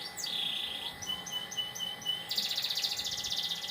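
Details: Canary singing in the morning: a high, bright phrase with a falling whistle and held note, then quick repeated chirps breaking into a fast, rolling trill.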